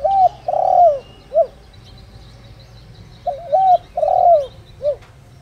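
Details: Spotted dove kept as a lure bird, singing in the giọng đồng rặc voice style; a pair of repeated phrases, each a brief opening coo, a drawn-out descending coo and a short ending note, with soft background chirps.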